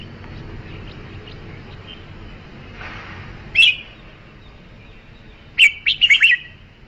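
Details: Red-whiskered bulbul: after a noisy hissing stretch, one clear whistled note, then a lively string of four to five slurred, bright phrases near the end.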